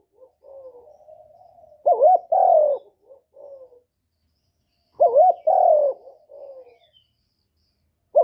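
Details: Spotted dove coo played to stimulate newly kept birds: soft low murmuring notes, then a strong warbled double note and a long falling coo, trailing into quieter coos, repeated about three seconds later.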